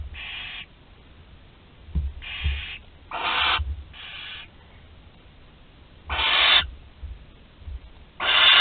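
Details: Young barn owl, 13 days old, at Théding, France, July 2020, swallowing prey whole: six harsh hisses at uneven intervals, some soft and short, others louder and longer, with occasional low knocks.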